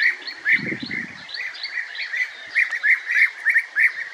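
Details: European bee-eater, a colonial nester, calling in a steady series of rolling, burry notes about three per second, with a short low rumble early on.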